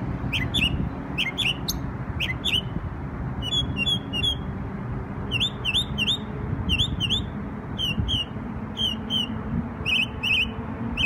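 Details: Memorial Day singing from a New York bird: a steady series of short phrases repeated about once a second for eleven seconds, each a crisp chirp with downward-curving notes, over a persistent low background drone.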